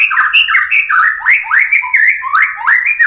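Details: White-rumped shama singing to provoke other birds into song, a fast stream of loud whistled notes with upward-sweeping slurs and sharp clicks, repeated roughly every third of a second.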